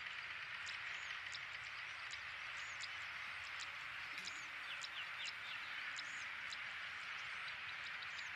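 Siberian stonechat giving thin, high, short calls in quick irregular series, a few rising into brief whistles, over a steady hiss of water or insects.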